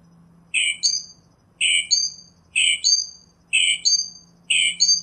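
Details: Singing Northern Mockingbird: a two-part phrase of a harsh chirp followed by a clear slurred whistle, repeated five times at a steady pace of roughly one per second, over a low steady hum.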